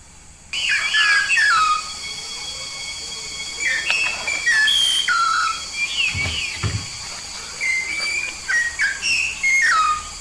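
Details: Yellow-faced myna from Papua, a lively singer, delivering a continuous run of loud whistles, some rising and some falling, mixed with short clicks and a steady high hiss in the background.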